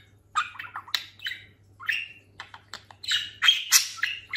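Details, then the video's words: Talking pet budgerigar, after a fresh molt and now quite fat, utters quick slurred chirps and rising squeaks, getting louder and denser in the second half, over a faint hum. "Konuşan muhabbet kuşu"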